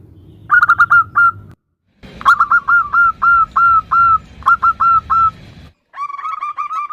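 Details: A female zebra dove calls the male with clusters of rapid, sharply hooked notes, then steadier evenly spaced ones, over a low buzzing background; a slightly lower series follows after a brief gap.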